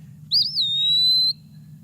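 An Eastern Wood-Pewee gives one clear, slurred whistle that wavers up and down, then holds a long steady note ending in a slight lift, over a low hum.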